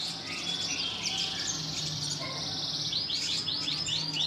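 A red siskin sings a dense, high, rapid twitter, ending in about six quick rising slurred notes, with a faint low hum underneath.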